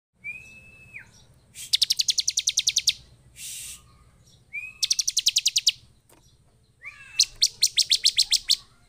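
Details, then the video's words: Agitated, loud-singing Bar-winged prinia, used to provoke other prinias into singing. Three rapid trains of about a dozen sharp high chips, each introduced by a thin, level whistle, with a short hissy burst between the first two trains. "Burung ciblek penuh EMOSI DAN GACOR efektif memancing ciblek lain cepat bunyi dan emosi"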